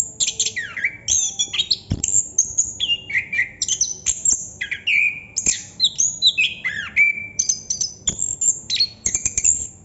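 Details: Chestnut-capped thrush singing ngerol non-stop, a fluent string of varied whistled slurs, falling sweeps and high sharp notes delivered in quick rhythm.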